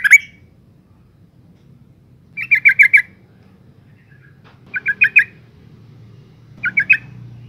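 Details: Calling female yellow-vented bulbul used to draw males into song: a short opening note, then three bursts of three to four rapid scratchy chattering notes separated by pauses of about two seconds, low background rumble.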